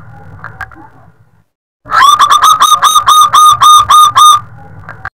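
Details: Local Zebra dove (perkutut) in strong song with a long drawn-out ending, used as a lure or tutor recording: a quick run of about ten loud, rich, staccato cooing notes at a steady mid pitch, under three seconds, with faint background hum.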